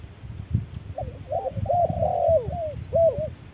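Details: Spotted dove in a noon decoy contest, wild bird against an electronic caller in harsh sunlight. A dense cluster of warbling coos swells and fades, ending with one clear arched note, over steady low ground noise.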